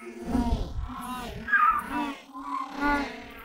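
Humboldt penguins give harsh, nasal, donkey-like brays in several overlapping bursts, with low rumbling noise beneath.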